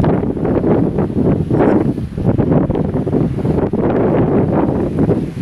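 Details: Loud wind buffeting the microphone in steady gusts, with no animal sound heard.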